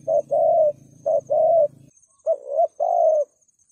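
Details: Spotted dove calling in thúc gù style as a trap lure for wild doves: two-note coo phrases, short then long, repeated three times; a low droning hum sits beneath the first half, with a faint high whine.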